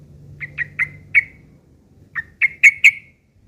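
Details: Sooty-headed bulbul giving rough chattering 'ngeriwik kasar' notes used as tutoring material for long-tailed shrikes: short, sharp chirped notes, four in quick succession, a pause of about a second, then four more, the last ones loudest.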